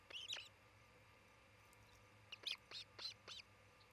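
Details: Osprey at its nest in Charlo, Montana, 27 June 2018, late morning: a loud whistled double chirp, a pause, then a run of five high, slurred chirps, with faint background hum.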